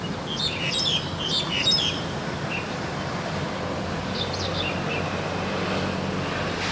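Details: A wild crested myna sings actively with a quick cluster of sharp, high, scratchy chirps at the start. A few softer notes follow after a pause, over steady low-pitched background noise.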